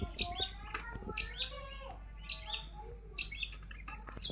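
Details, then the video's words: Long-tailed shrike song used as a lure to get other birds singing: scattered high, sharp chirps and short squeaky notes separated by pauses, with a few lower whistled slurs underneath. "Burung Pentet buat pancingan pasti langsung gacor"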